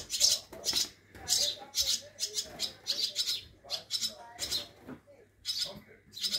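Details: Swallow chicks that fell from their nests, hand-reared at a rescue station in Scharzfeld near Herzberg am Harz, Germany, on 1 August 2022, during feeding: loud, high, hissing bursts repeated roughly once a second, with people talking softly.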